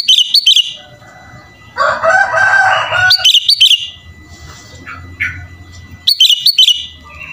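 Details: Sooty-headed bulbul in full voice, its song rich with imitations: quick clipped whistled phrases repeated three times, with a loud harsh rasping burst between them and faint low background rumble.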